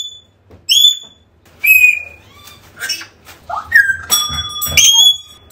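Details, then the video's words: African grey parrot calls, meant to lure a lost bird back: loud clear whistles with sharp upward and level notes, mixed with short rasping squawks, in irregular bursts about once a second. "AFRICAN GREY SOUNDS CALLING / Used this bird sounds to get your bird back!"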